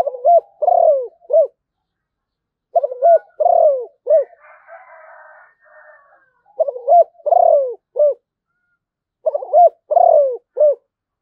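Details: Zebra dove singing four bursts of quick staccato cooing notes, each burst ending in short falling notes, with a rough noisy hiss between the second and third bursts.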